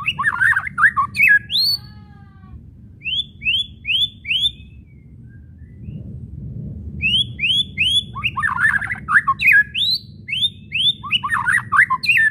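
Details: Whistles and kretekan chatter of a white-rumped shama, played to make shamas sing: rows of four or five rising whistled notes, then harsh jumbled chattering, a quiet pause, then more whistles and chatter over low hum.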